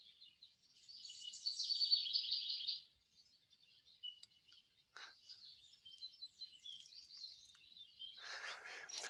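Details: A house wren's rapid, bubbling burst of high chattering notes, followed by thinner warbling phrases from a warbler and a final scratchy rasp, from an automated sunrise recorder used for citizen-science bird monitoring.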